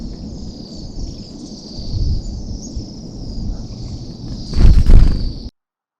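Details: A flock of about 300 Bohemian waxwings in trees at Fish Creek Provincial Park, Calgary, on a late-winter morning before migrating north, making a steady wash of high, thin, buzzy trills over low wind rumble with a gust near the end.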